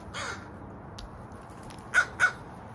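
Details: Crow with one rough, drawn caw, then after a pause two short sharp caws close together, against a quiet background.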